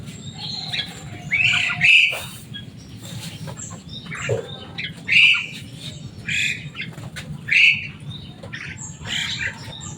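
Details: Common myna, described as loud and noisy and able to imitate human speech, giving harsh squawking calls in bursts roughly every two to three seconds, with a low background hum throughout.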